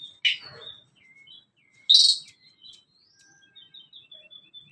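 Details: Tledekan gunung (blood-breasted flowerpecker) recording for training young birds: two loud sharp high chips about two seconds apart, each followed by faint thin twittering notes.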